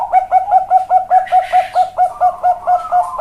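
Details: Zebra dove of the Bangkok perkutut type singing in a big, cowong style: a fast run of short, clipped cooing notes, each with a little upward hook, repeated about twice per second, with a brief rustling noise midway.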